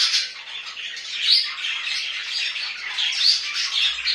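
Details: Pet budgies produce a rapid, raspy warble studded with bright upward squeaks, two of them standing out clearly, over a constant chirring background of chatter.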